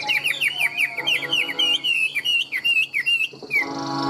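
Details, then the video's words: Strong, steady song of a tame, large Chinese hwamei: a quick string of clear down-slurred whistles repeated about four per second, then a few looping notes and a final falling whistle in a small room. "Chim họa mi thuần - Bộ To - Hót hét rất tốt"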